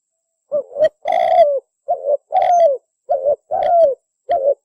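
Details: Spotted dove lure call used for trapping: low hollow coos in short and longer drawn-out phrases, the longer notes sliding downward, repeated about every second with brief silent gaps.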